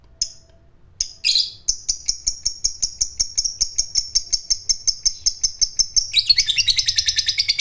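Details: Fighter lovebird starting a ngekek panjang lure: isolated sharp chirps, then a thin high whistle rapidly pulsed for about five seconds, ending in a louder, rougher fast chatter.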